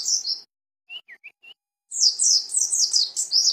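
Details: Mountain white-eye (pleci dakun) from Cisewu, Garut, singing: brief high twitter, four soft clipped whistles, then a sustained run of fast, very high, jumbled chattering notes.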